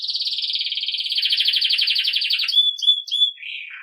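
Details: Belgian canary in the campainha song style, used as tutor song for young birds: a fast rolling buzzy trill for two and a half seconds, then sharp high whistled notes and a lower trill.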